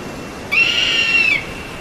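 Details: Single drawn-out eagle whistle lasting under a second, high and fairly level, with a gentle downward bend at the end and bright overtones.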